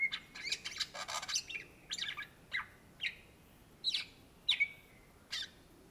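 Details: Greater green leafbird, known locally as cucak ijo, singing in lively form: a fast string of sharp, high whistled and chattering notes, then separate clear downslurred whistles about every half second against a quiet background.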